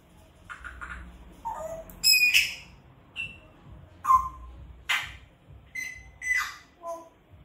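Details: Pet grey parrot giving loud squawks at home, alternating rough broadband bursts with short clear whistled notes at varying pitch, spaced about every second, with a low hum underneath.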